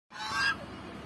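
A goose gives a single harsh, nasal honk lasting about half a second, with a quiet trailing tail afterward.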